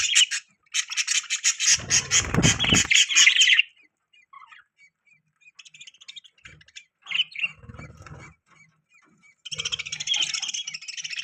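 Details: Pet budgerigars with newborn babies; a loud, rapid run of pulsed chattering chirps, quiet scattered notes, then another dense chattering burst near the end.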